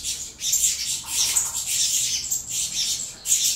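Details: Saffron finch nestlings, a Venezuela CMA × CVK 103 cross, beg while fed, producing a sustained wash of harsh, high rasping squeals that swells and briefly drops away before resuming.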